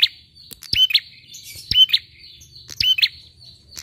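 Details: Bar-winged prinia used as a lure to prompt other birds to sing: three bursts about one second apart, each a sharp rising chirp with a bright hooked note, plus scattered clicks and faint low hum.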